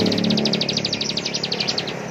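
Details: Bar-winged prinia (ciblek) singing in the intense ngebren style: a fast, even, high buzzy trill of rapid pulses lasting about two seconds, with a faint low hum behind.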